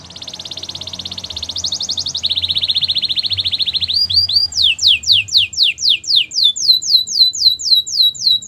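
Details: Gloster canary song opening with fast rattling trills at two pitches, followed by a long, regular run of sharp descending whistled notes, roughly four per second.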